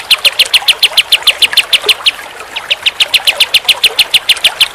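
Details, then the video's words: Pied triller, a fast series of clear, high, slightly descending chip notes about four per second, with a short pause midway before the regular run picks up again. "Kicauan Kapas Tembak"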